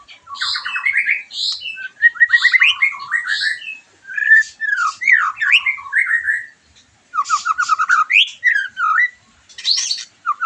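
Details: White-rumped shama singing to stimulate a bird after moulting and raise its emotion and mating urge; varied phrases of rapid trills, rising and falling whistled notes and sharp chips come in bursts with brief pauses.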